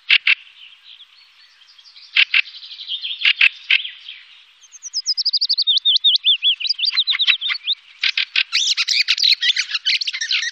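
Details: Fieldfare recorded in Wittlich in 2018, giving scattered harsh chack notes, a fast string of squeaky falling whistles, then dense scratchy chatter to the end.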